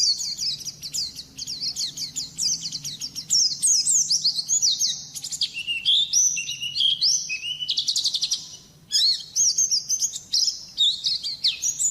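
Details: White-eye song, sustained and energetic: rapid, high, thin twittering phrases of sliding whistles and buzzy trills, delivered almost without pause and broken only by brief gaps, against a quiet background.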